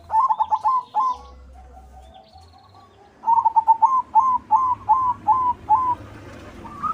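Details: White zebra dove in full song, used to lure other doves into singing and breeding mood. A fast stuttered coo opens, then a steady series of about eight clear, rising cooing notes evenly spaced, ending in a higher note.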